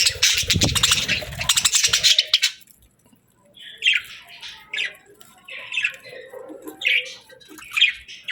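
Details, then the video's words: Happy pet budgies chirping while eating their favorite food: a burst of loud, rapid crackling and crunching for two seconds, a brief quiet, then short bright chirps spaced about a second apart. "Happy Budgie Sounds | Budgies Chirping & Eating Sounds"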